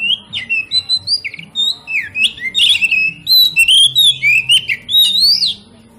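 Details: Oriental magpie-robin song played to excite other magpie-robins into singing: fast, unbroken series of loud whistled notes, swooping up and down, with scattered scratchy chips between phrases.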